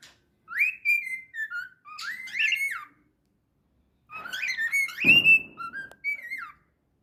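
A cockatiel whistles a bright, wavering tune in short phrases that slide up and down, with pauses between.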